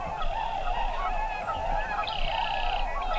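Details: Tundra swans migrating from the Chesapeake Bay region, arriving at a stopover wetland in central Wisconsin to feed before heading on to Arctic tundra nesting grounds; a dense continuous chorus of overlapping mellow honking and whooping calls.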